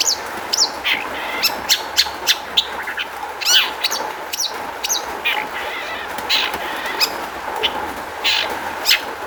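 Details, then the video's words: Long-tailed shrike singing as a lure for other shrikes to respond; irregular mix of harsh rasping notes, sharp chirps and brief whistles, steady background hum throughout. "kicau cendet gacor MEWAH ISIAN buat PANCINGAN CENDET AGAR BUNYI jadikan BURUNG PENTET NYAUT"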